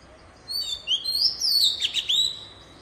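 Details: Oriental magpie-robin singing a rich, varied phrase of bright whistles, slurred notes and quick trills, high-pitched and full of rising and falling swoops.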